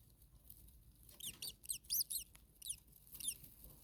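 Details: Starling nestlings in a very hot attic nest, second nest on day two, with the mother nearby: after a quiet start, clustered high squeaky chirps and bent whistles come in quick groups over low background hum.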